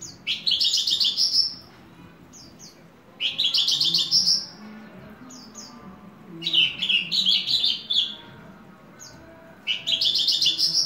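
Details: Horsfield's bush lark kept as a hobby bird, singing four loud bursts of dense, rapid, buzzy twittering, each about one and a half seconds long, separated by quieter pauses with a few sharp ticks.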